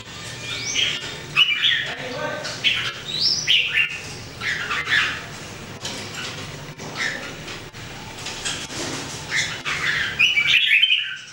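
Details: Three Red-whiskered Bulbuls kept caged and trained to sing daily, 2018: repeated bursts of liquid whistles and chattering notes, several birds calling in turn over about eleven seconds with a low steady hum.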